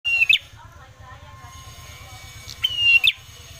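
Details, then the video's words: Ashy tailorbird song used as a lure to get other birds singing: two bright whistled phrases, each a flat high note ending in a quick chattering flourish, with a steady low hum underneath. "Suara Pancingan Prenjak Kepala Merah Gacor"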